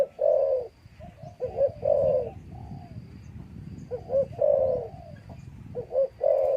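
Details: Spotted dove held in a breeding cage beside a female, giving its crowing coo: deep rounded notes in uneven phrases, one longer falling note mid-sequence, loud bursts separated by short gaps.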